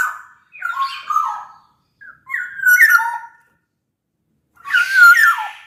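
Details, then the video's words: Vigorous black-naped oriole, a large-bodied bird from Sumbawa, singing to lure other orioles into song: three fluty, liquid phrases with falling slurs, the last mixed with a harsh rasping note. "Kepodang Lokal Gacor Suara Buat Pancingan Burung Kepodang Agar Bunyi."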